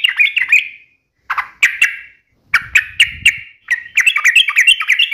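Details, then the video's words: Sooty-headed bulbul in lively song: a squeaky chatter, separate sharp chips with a faint low rustle, then a rising, rapid jumble of bright notes in 'ropel' style. "trucukan gacor UPLIK NEMBAK ROPEL TAJAM"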